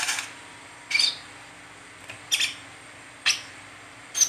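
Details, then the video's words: Brown-throated sunbird giving the chattering 'ngeriwik teler' song style used to lure and train other sunbirds: four sharp, high chirps about a second apart, each a brief bright burst with a quiet, faintly humming background. "Burung Kolibri Kelapa Ngeriwik Teler"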